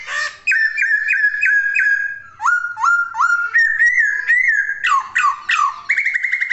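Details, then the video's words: Laughingthrush (poksay) in full song: a loud whistled series of clear rising and falling notes, repeated quickly in changing phrases, some notes hooked and dropping, with no other sounds. "Kicauan Poksay Gacor!"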